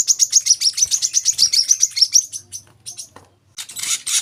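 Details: Kolibri kelapa, the olive-backed sunbird, delivers a quick string of high, sharp chirps for about two seconds. It then falls quiet, and a short burst of hiss-like noise follows.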